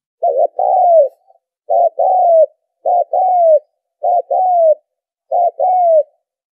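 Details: Spotted dove calling to lure birds for trapping: five regular cooing phrases about every 1.2 seconds, each a short throaty note joined to a longer, gently descending coo, with a quiet background.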